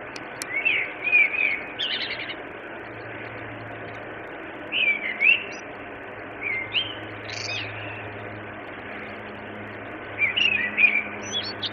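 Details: Common blackbird in Tensta on 11 February 2015 around 17:00 gives short, twittering chirped phrases every few seconds over a steady low hum, possibly distant traffic.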